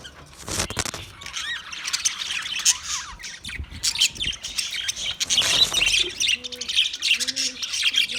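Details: Budgerigars twittering and squawking in quick high bursts and warbles, with a few low coos repeating softly near the end.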